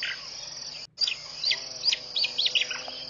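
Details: Birds singing at a pond in Mashatu Game Reserve, Botswana, at 5:00 in the morning on 4 January 2014. Hooked, whistled chirps repeat a few times over a steady high insect drone.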